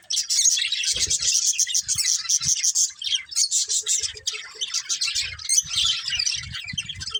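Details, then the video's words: Budgerigars warbling nonstop, a dense stream of rapid squeaky chirps and chatter, with occasional soft low bumps. "Cute Budgies Chirping Sounds"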